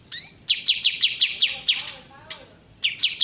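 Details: Bulbul called kapas tembak, original sound: an upward whistle, then a quick series of sharp descending chips, a pause, and the chips resume. Faint lower chatter is heard beneath.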